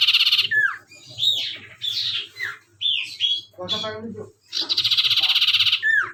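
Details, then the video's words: Spotted owlet giving loud, harsh chattering calls: rapid pulsed screeches in bursts of about half a second to a second, with some descending squeals, repeated with short pauses, plus a brief lower rattling phrase midway. "burung sirtu/Cipo gacor"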